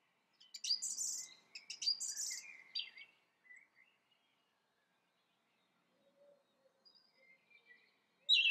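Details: Song thrush song with loud, rich high phrases repeated twice, then a lower twittering tail, several seconds of near quiet with faint distant notes, and a sudden loud phrase at the end.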